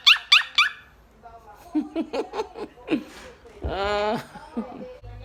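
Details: A blue Quaker parrot talking to its friends chatters with three shrill upward chirps, then lower, speech-like babbling phrases.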